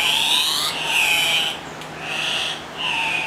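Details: Andean cock-of-the-rock in Risaralda, Colombia, giving loud, harsh, nasal squealing calls in overlapping bursts under a second long, almost without pause.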